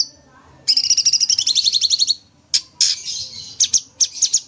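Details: Sooty-headed bulbul giving energetic 'tembak' song: a long, dense, rapid trill of shrill pulses lasting over a second, then sharp, high, scratchy chips and short bursts.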